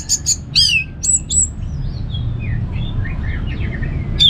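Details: Orange-headed thrush singing in the relaxed ngeplong style, used as a training track to prompt kept birds to sing: a few sharp high whistled notes and slurred phrases at the start, then fainter twittering over a steady low hum.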